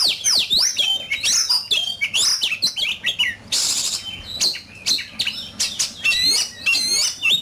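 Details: Oriental magpie-robin singing fiercely against a rival: a dense, rapid string of high whistles, clicks and slurred notes, with a brief rasping burst midway.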